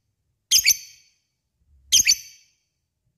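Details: Lovebird calling to an opponent, a lure for other lovebirds: harsh high shrieks, each with a quick double peak, repeated about every one and a half seconds.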